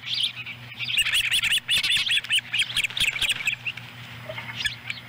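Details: At a Montana osprey nest in July 2017, the adult female brings a small fish for a chick to swallow whole while its sibling tries to join in. Quick high squeaky chirps tumble out, over two per second, over a low electrical hum.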